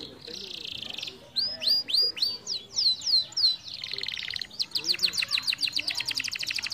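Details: Canary song meant to stimulate other canaries: a buzzy trill near the start, then a run of clear downward-sweeping whistled notes about three per second, ending in a fast, dense rattling trill.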